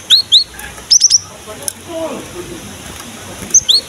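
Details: Cinereous tit singing steadily, used to lure and prompt young birds of its kind to sing: short sharp upslurred whistles in pairs, then a quick run of three high notes, a pause, and another pair at the end.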